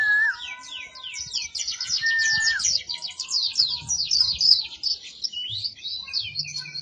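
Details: Dakun oriental white-eye song for training cage birds: a dense, high-pitched twittering run of rapid chirps, joined at the start by lower, descending whistled notes and a faint low rumble beneath.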